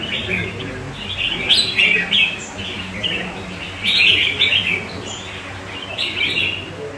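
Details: A caged crested red-whiskered bulbul sings alongside other birds: rapid, lively chirped phrases in quick bursts with brief pauses, bright and slightly buzzy, steady background hum.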